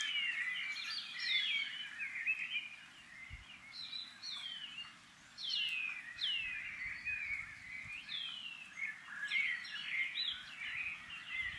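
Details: Shining cuckoos in summer in a tree in the Maungakotukutuku Valley, New Zealand, several birds calling to each other; clear high whistles sliding downward, repeated roughly every one to two seconds, with overlapping calls from other cuckoos and faint low rumble.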